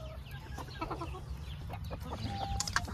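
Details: Hens on a farm in Ontario, Canada, in spring or summer, being brought food, cluck in short, broken notes against a low background rumble, with a woman speaking nearby; the hens are moulting.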